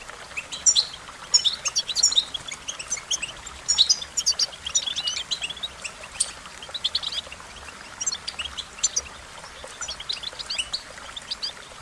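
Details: American goldfinch, a social finch of open weedy meadows, pastures and roadsides, singing a lively run of high, rapid twitters and chirps, densely packed in bursts over steady outdoor hiss.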